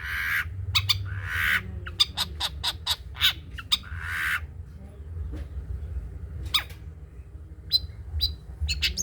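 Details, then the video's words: Long-tailed shrike in the trotol song style, used as a tutor recording: harsh scratchy bursts mixed with quick sharp clicks and chips, then a quieter stretch of scattered high notes, with a constant low hum underneath. "CENDET COCOK DIBUAT MASTERAN BURUNG CENDET TROTOL"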